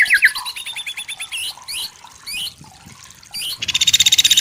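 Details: White-rumped shama from forest, singing fast high chattering notes, short whistled swoops, then a loud rapid buzzy trill at the end.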